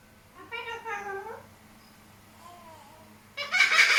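A young cockatoo makes a wavering, meow-like harmonic utterance, a softer murmur, then a sudden harsh, raspy screech at the end.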